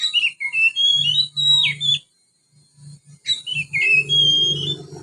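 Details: Young Oriental magpie-robin in soft chattering song with house sparrow imitations. Rapid high whistles and buzzy slurred notes come in two bursts split by a brief pause, over a persistent low hum.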